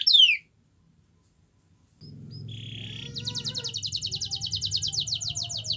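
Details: Canary song used as a lure for other canaries. After a single falling whistle there is silence, then a soft low hum begins, followed by a short buzz and a long, evenly pulsed high trill over the hum.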